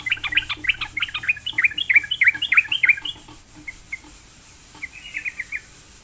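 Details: Lured into replying, a Sooty-headed bulbul pours out a dense run of rich chirping, warbled notes for about three seconds, then a quieter, sparser trailing phrase after a lull.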